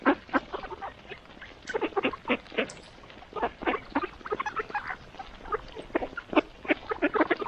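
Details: A close flock of mallards at morning feeding chatters in brisk, short quacks, several a second, rising and falling in loudness with brief lulls between bursts.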